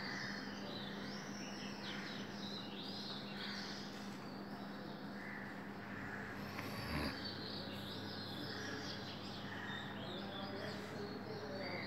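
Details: Oriental magpie-robin singing at 5 am on April 24, 2020: varied whistled phrases, some rising and some falling, repeat through the recording over a steady background hum and low rumble.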